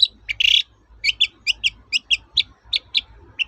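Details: Lively long-tailed shrike, toet-toet style, played to coax silent shrikes back into song: a short burst of harsh noise, then crisp doubled chirps repeated roughly every quarter second, with faint low hum beneath.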